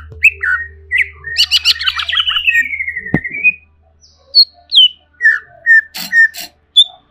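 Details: Greater green leafbird singing in an agitated state: a loud descending slurred phrase, then varied whistled notes, chattering bursts and squeaky chirps at a quick irregular pace, with a low hum in the first three seconds.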